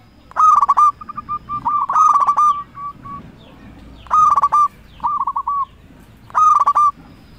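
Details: Zebra dove, local type, singing a lure call meant to stimulate and provoke rivals: four loud clicking-and-trilled phrases, each trailed by strings of soft short coos, repeated roughly every two seconds.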